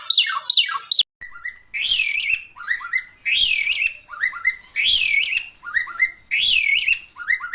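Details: Javan pied starling, local Javan bird, in full vigorous song: opening falling squeals, then a harsh rasping phrase with a nasal rising-falling whistle repeated about every second, each followed by short chips.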